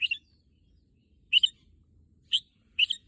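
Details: Red-whiskered bulbul kept as a pet, said to want to go to the contest field, utters four short clipped whistled notes spaced about a second apart in a quiet setting.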